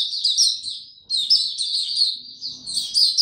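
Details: High, quick, chattering song of a white-eye, recorded 26 March 2022 in warm, very humid conditions; a brief gap near one second splits two runs of sweet twittering notes, with a faint low murmur near the end.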